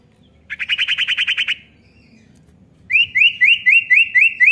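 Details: Common iora, a call for coaxing an untrained young bird to sing: a fast series of around ten harsh buzzy notes, silence, then a run of rising whistled notes repeated about four per second.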